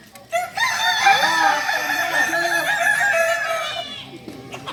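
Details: Kukuak Balenggek roosters, a singing chicken breed native to Solok, at crowing performance training; several long, stepped crows overlap in a dense chorus, with tiered rising and falling notes lasting about three seconds before fading.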